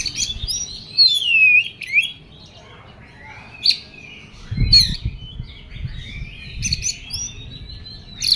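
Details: Oriental magpie-robin in an agitated state. A loud downward-sliding whistle is followed by sparse sharp chips and high slurred notes, with a low rumble near the middle.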